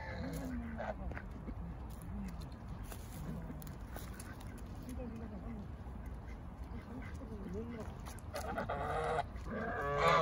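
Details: Domestic geese give low, nasal honks, some rising and falling, about once a second, mixed with quacks from male and female ducks and a harsher burst of honking near the end.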